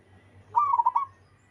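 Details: One short phrase from a wild local Zebra Dove: a quick, bubbling series of four or five clipped cooing notes lasting about half a second, over faint low noise.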